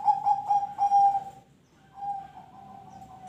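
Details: Perkutut (zebra dove) ring tulus song used as a lure to get other birds singing; four quick bubbling coos rolling into a long level note, then a quieter sustained coo.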